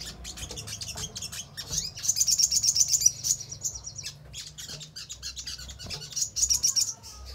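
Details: Lure song of a crimson sunbird, meant to prompt other birds to answer and sing. Bursts of fast, high-pitched twittering trills alternate with scattered thin chirps, with a brief dry rattling passage between them.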